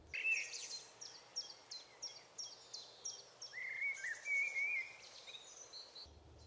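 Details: Icterine warbler singing hidden among leaves in green Alblasserbos woodland, Netherlands: a quick run of short, high, clipped notes about three a second, then a lower squeaky warbling phrase with slurred whistles, fairly distant, over light hiss.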